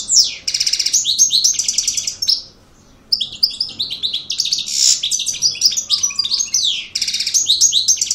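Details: Aggressive European goldfinch song in maknine style, a fast, dense, high-pitched jumble of trills, twitters and buzzy notes delivered in long bursts with one brief pause, little other sound.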